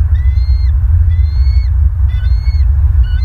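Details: Bald Eagles at a nest in Southwest Florida on a November evening; a series of thin, high, slightly rising piping notes in short bursts, over loud low wind rumble.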